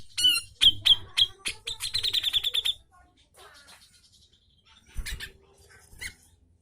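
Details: Grey-cheeked bulbul in full, energetic song used as a tutor recording: bright slurred whistles, then a fast rattling series of sharp repeated notes near two seconds, a pause, and scattered further chirps.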